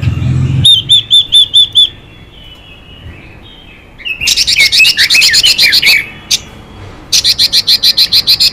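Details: A female Chinese hwamei calls to excite a male. A run of six clear whistles gives way to harsh, buzzy, rapidly repeated rasping notes in long rattling bursts.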